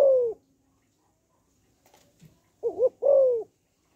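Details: Female spotted dove cooing to stimulate males: the end of a long falling note, a pause with faint small noises, then one complete phrase of a wobbling double note followed by a drawn-out downward coo.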